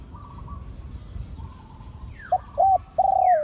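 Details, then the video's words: Liu Tan style crowing from a spotted dove of an auspicious line: faint distant coos at first, then a loud phrase of two short coos and a long descending note, with brief upward-sweeping whistles nearby. "เสียงขันนกเขาใหญ่ # หลิ่วตัน"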